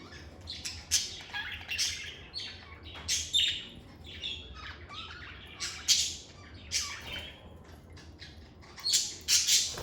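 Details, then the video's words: Pet lovebirds chirping and squawking, a busy stream of shrill, rasping high calls in irregular bursts, several birds overlapping, some louder peaks near the end. "Lovebird Singing & Chirping Sounds"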